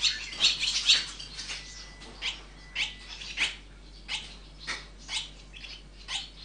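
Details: Swallow chicks raised in a nest, with a quick cluster of loud high chirps opening, then single sharp chirps spaced roughly every half second.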